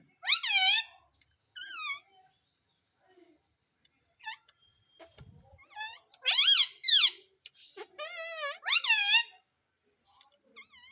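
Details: A pet Indian ringneck parakeet talks, saying "mummy" in short, high, harmonic-rich bursts: several repeated phrases with rising and falling inflections, in a quiet room.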